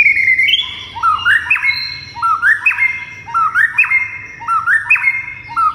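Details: White-rumped shama in full song to provoke other shamas into answering and becoming agitated: loud clear whistled phrases stepping upward in short ladders, repeated roughly every second.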